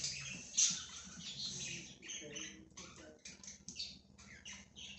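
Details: Free-roaming budgerigar flock, calm and relaxed: soft, high scratchy chirps and brief squawky notes scattered through the clip, fairly quiet, with a faint low hum underneath.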